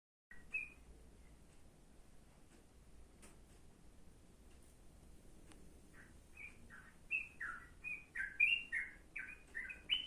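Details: Yellow-vented bulbul song, offered as tutor material for a sooty-headed bulbul: near silence at first, then from about six seconds a run of short, bright, slurred chirps, some rising and some dropping, in quick irregular succession.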